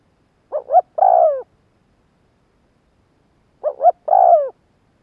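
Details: Spotted dove giving its calling phrase to attract wild birds: two short bouncing notes and a long falling coo, repeated after about three seconds of silence.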